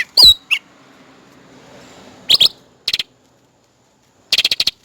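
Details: Cucak rante calling, a recording meant for training and luring birds: a high slurred whistle, then clusters of short, dry, buzzy chirps in quick rattling bursts separated by pauses.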